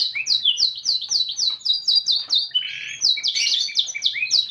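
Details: Vigorously singing canary with a unique cengkok song: a steady series of about a dozen quick down-slurred chips, a short buzzy rattle, then another burst of fast repeated notes with rising sweeps.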